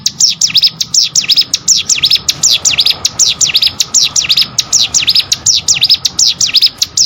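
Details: Hill prinia (cigun, prenjak gunung) song, a tutor recording for training competition songbirds: a fast, steady stream of sharp, high, V-shaped notes that sweep down and rise again, several each second, loud and clean over a faint low hum.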